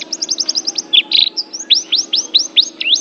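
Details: Oriental white-eye, a Banten bird called an Asian champion, singing a fast, high twittering run of thin chirps and upslurred whistles, about six notes a second, over a faint low hum.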